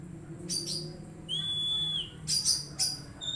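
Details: Magpie-robin song used to prompt an untrained bird into singing: one long, level, pure whistle framed by short raspy chattering bursts, with a steady low background hum.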